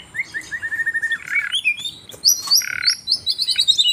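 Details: Asian brown flycatcher in lively song on a masteran track: quick high twittering, two short buzzy rattles, and rapid whistled notes stepping downward near the end, with steady, busy phrasing.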